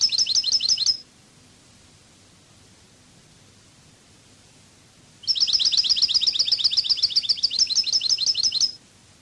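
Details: European goldfinch, Cádiz-style song: a brief high trill ends, about four seconds of quiet follow, then a longer, rapid run of shrill twittering notes lasts some three and a half seconds.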